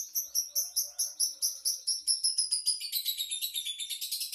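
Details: Lovebird singing a steady series of loud, high, clipped chirps, roughly five per second, that slide slightly lower and merge into a faster, buzzier run toward the end.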